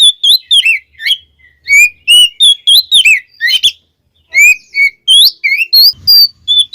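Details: Oriental magpie-robin song aimed at provoking rivals: rapid, varied whistled notes and sharp chips in lively phrases, a pause near the middle, then more loud upswept whistles.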